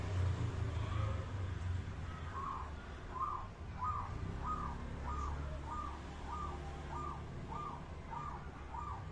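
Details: Local zebra dove singing a rhythmic song: a run of about ten short, evenly spaced mid-pitched coos, nearly two each second, over a steady low background rumble.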